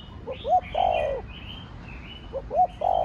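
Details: Spotted dove 'thổ đồng' voice coo, used to stimulate other doves: two quick phrases of small lead notes, a sharp hooked note and a sustained falling coo, over steady higher chirping of other birds.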